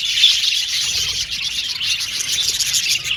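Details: Male violet budgerigars chattering in an aviary, a short clear whistle at the start followed by dense overlapping high chirps and warbles.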